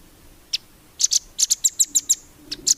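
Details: High, thin chirps from a velvet-fronted nuthatch, used as training song for competition birds, coming irregularly at first and then quickening into a short series of sharp piping notes.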